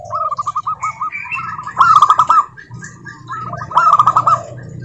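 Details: Local zebra doves singing as a lure for other doves: stuttering, trilled coo phrases rising into two loud rolling bursts, several birds overlapping, with a faint low murmur behind.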